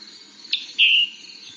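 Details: A Scarlet Tanager gives its 'chip-burr' call, used especially when upset: a sharp high chip, then a lower, buzzy, burry note of about a quarter second, with faint hiss behind.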